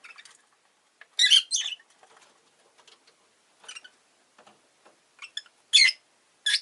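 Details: Rosy-faced lovebird calling in loud, scratchy, high bursts, one long double chirp early and then shorter shrill notes, mixed with soft rustling and tapping between calls.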